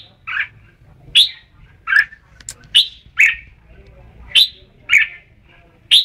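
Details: Red-whiskered bulbul singing: short bright whistled phrases, each a quick rising-falling warble, repeated roughly every second with brief quiet gaps between.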